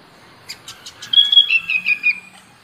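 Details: Sooty-headed bulbul (kutilang) song, played to coax reluctant kutilang into singing: a few quick sharp ticking notes, then a string of clear whistled phrases, each slurring slightly downward, lasting about a second against a quiet background.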